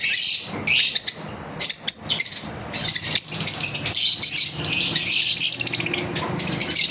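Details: Pet lovebirds chirping during their daily routine: dense high-pitched chattering and squeaky chirps in rapid bursts, with brief pauses and some wing flutter.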